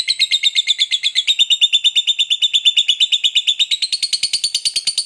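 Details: Fighter lovebird giving a long ngekek chatter meant to provoke other lovebirds into answering; a fast, steady run of harsh, buzzy chattering notes, about seven per second, that climbs slightly in pitch near the end.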